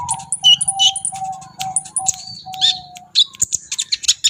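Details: Brown-throated sunbird, known locally as kolibri ninja, singing energetically: sharp, high chirps and short trills in quick bursts. A steady low whistled tone runs under the first three seconds, and a faint low hum sits beneath.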